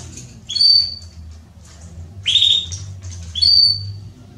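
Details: Belgian canary hen asking to mate, giving three short bright chirps spaced about a second apart, each a quick upward sweep ending in a steady high tone, with a faint low hum beneath.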